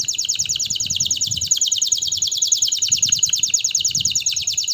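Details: Canary delivering a steady, rapid rolled trill of sharp repeated high notes, about eight per second, with a low background hum.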